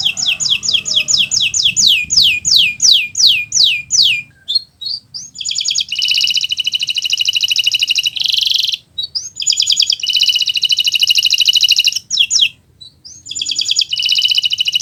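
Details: Continuous gacor singing from a Kenari Nusantara canary, intended as a master for learning birds: quick repeated falling sweeps, then long dense buzzy trills broken by short pauses and little upward chips.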